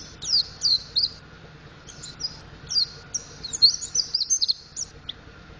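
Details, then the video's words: Young-sounding practice song of a mountain white-eye learning ngriwik and ngeplong: rapid high twittering phrases, thin and trilled, broken by brief pauses, with a faint hum underneath. "Burung Pleci Montanus Belajar Ngriwik Ngeplong"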